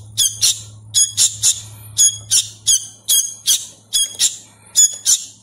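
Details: Hand-fed sooty-headed bulbul chick, still learning its sounds, begging with harsh, raspy squawks in pairs and triplets, about one burst a second, over a faint low electrical hum.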